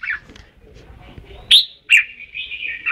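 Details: Red-whiskered bulbul from Ban Song: a short chirp, then two sharp high notes each trailing into a drawn-out, slightly wavering whistle; low background murmur.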